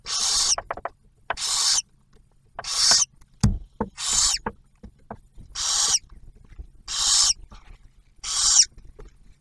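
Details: Inside an Ohio refuge barn owl nest box, the male brings food and the female shares it with the new owlet; seven breathy hissing rasps repeat roughly every second and a half, with a thump and scraping in between.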